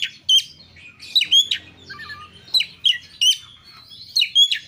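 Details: Kacer, the Oriental magpie-robin, singing as a lure for other birds: bright rising whistles and short sharp notes come in clusters about every half second, separated by soft lower warbling.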